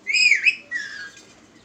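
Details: Household talking parrot known for saying "Miya mitho" gives a loud, bright, harmonic phrase that rises then dips, followed by a softer, falling, whistled tail that fades out over about a second.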